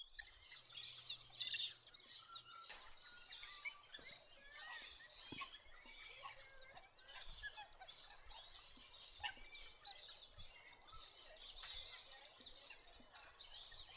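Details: Wandering whistling ducks calling together, a dense, continuous chorus of high, overlapping twittering whistles from many birds, with faint low rumbling and occasional knocks beneath.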